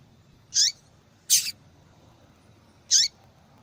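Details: Female double-collared seedeater calling to stimulate male singing: a high buzzy note, a louder harsh broadband call, then another buzzy note with a falling tail.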